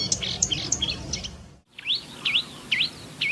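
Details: Marsh warbler song in two joined sections: quick high chirps and twitters, a brief silence, then loud repeated swooping whistled notes rising and falling, about two per second.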